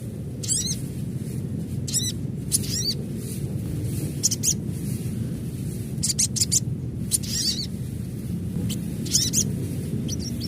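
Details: An adult crimson sunbird calls in short, high, metallic chirp series at irregular intervals. Some bursts are closely doubled, and a low droning rumble runs underneath.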